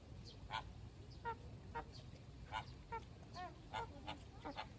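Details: Caribbean (American) flamingo calling in short, clipped nasal honks spaced about half a second to a second apart, some with a slight downward bend, over a steady low rumble of background noise.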